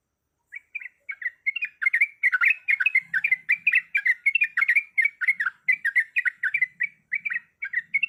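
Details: Breeding-condition female yellow-vented bulbul persistently calling a male: after a half-second pause, fast bubbly chattering chirps build into a dense, continuous 'ropelan' run lasting over seven seconds, with faint low thumps.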